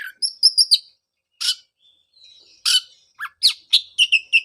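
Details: Oriental magpie-robin song for restarting a bird's singing after its moult: short high whistled notes, harsh rasping bursts separated by pauses, then a quick run of clear chirped notes.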